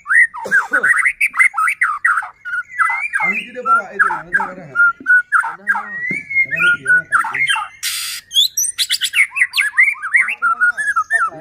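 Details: White-rumped shama in excited song, meant to provoke rival shamas; a dense, continuous tumble of warbled whistles and harsh notes, interrupted once by a short loud hissing burst.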